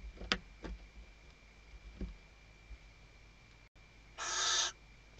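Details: Scratching and tapping of nest material, then one loud breathy hiss of about half a second: a female Western barn owl calling the male, recorded by webcam at Riet Vell reserve, Ebro Delta, Spain, 2023.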